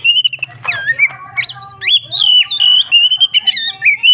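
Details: Oriental magpie-robin (kacer) in full, lively song: a fast string of varied whistles, swoops and chattering notes repeated in quick phrases, with a constant low hum in the background.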